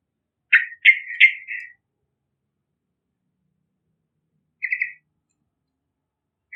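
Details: Lively yellow-vented bulbul sound for luring other birds: three quick loud chattering bursts, a long silence, then a softer doubled burst and a last note at the end.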